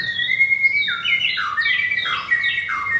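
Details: White-rumped shama, blorok type with double rings, caged in Kemayoran, Jakarta; Thursday 19 May, 9 am; a long clear whistle followed by a cascade of falling, overlapping whistled phrases repeated in waves.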